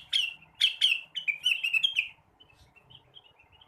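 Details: Blue-winged leafbird song at morning: three strong, sharp downward-sweeping notes leading into a brisk chattering warble, then quiet faint chirps.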